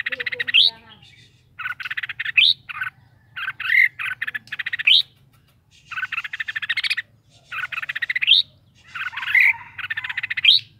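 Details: Caged red-whiskered bulbul sings about seven phrases of rapid pulsed chatter, each finishing with a rising upslurred note, spaced roughly every one to two seconds.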